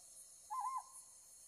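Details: Ryukyu scops owl calling at night while lit by a light, recorded with a Z9 camera and 500 mm lens: one short, wavering, slightly rising hoot with a quavering middle, over faint background hiss.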